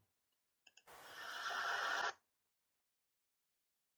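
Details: A couple of short clicks, then a two-second burst of broad hissing noise, followed by silence.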